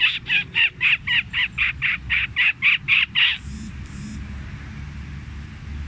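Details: Fantail sound, noise-cleaned and phone-recorded, played as a lure for trapping birds: a fast series of harsh, buzzy chattering notes, about four a second, stopping abruptly after three seconds, then faint hiss.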